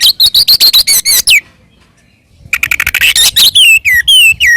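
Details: Oriental magpie-robin singing an aggressive fighting song used to goad other magpie-robins: a rapid run of repeated sharp chirps, a silent break of about a second, then mixed whistles and slurred notes.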